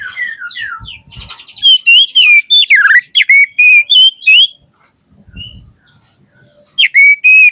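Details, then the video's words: Oriental magpie-robin singing riwik-style, loud and ringing, with descending whistles, a dense run of quick varied notes, then a pause before clear upslurred whistles. "Suara Kacer Riwik Ngeplong!"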